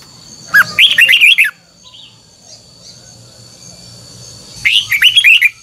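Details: Red-whiskered bulbul pushed to sing a wild-style double-note song, two loud phrases of quick rolling whistled notes about four seconds apart over a low background murmur.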